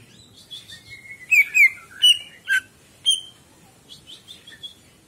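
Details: Greater green leafbird song used as a master recording for training pet birds: varied whistled and chirping notes, slurred downward and upward, in quick irregular bursts with short clear phrases, over a quiet background.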